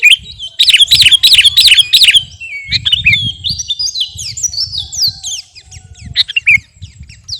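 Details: A garuda-type sooty-headed bulbul kept as a cage bird, singing vigorously and described as contest-ready. It opens with loud, rhythmic pulsing notes, then moves into thinner, fast-rising whistled chirps.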